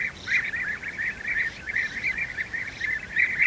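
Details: Rolling, throaty trills from European bee-eaters at a nest where young are being fed, given in quick overlapping bursts about every half second, with fainter higher calls in the background.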